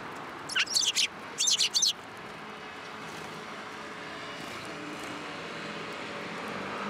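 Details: Sparrows coming to be fed from the hand at a Tenmangu shrine on 12 December 2022: two quick bursts of high, sharp chirps early on, then steady traffic rumble with no further calls.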